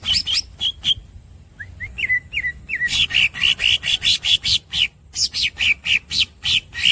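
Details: Green cucak, or greater green leafbird, giving squeaks: sharp chirps, then a few soft upslurred whistles. These build into a steady series of loud buzzy squeaky notes, about four per second, with a short break before more.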